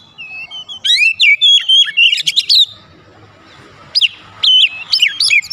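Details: Oriental magpie-robin singing to provoke other magpie-robins: clear whistled phrases and buzzy rattles, a quiet pause, then renewed sharp rising and falling notes.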